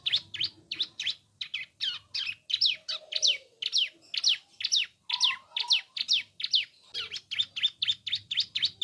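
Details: Singing bar-winged prinia, a caged bird: long run of high, clipped chirps and sweeping notes at roughly two per second, briefly pausing, over a soft low hum and an occasional lower whistled sound.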